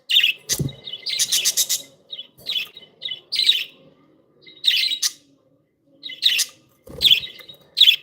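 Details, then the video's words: Chirping of happy pet budgerigars, a lively run of sharp high chirps and buzzy rasping notes coming in quick clusters, with a faint knock or tap among them and short quiet gaps. "Happy budgies sound"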